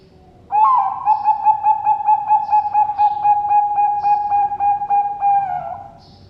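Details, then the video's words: A captive-bred zebra dove (perkutut) from a bird farm in Sidoarjo, East Java, Indonesia, gives a long rolling coo: a mellow mid-pitched tone broken into quick, even pulses for about five seconds, ending in a slight drop. "PERKUTUT BANGKOK SUARA KOMPLIT"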